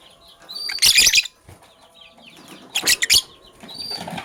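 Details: Lovebirds, a Sky Blue Opaline and a Cobalt, in the morning: two loud bursts of harsh, buzzy high chirping separated by quieter thin tonal tweets, with faint background chatter between them.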